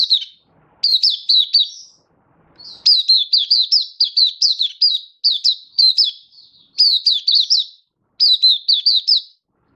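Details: Oriental white-eye hobby bird singing, recorded 24 February 2023: repeated bursts of quick, high, sharply down-slurred chirps, three to eight notes each, separated by short pauses.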